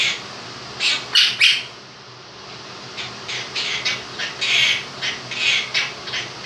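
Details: Indoor pet male Quaker parrot, aged two, singing fragments of 'If You're Happy and You Know It' with do-do-do sounds: three loud clipped notes, a brief pause, then a steady run of about eight softer squawky syllables, fan noise throughout.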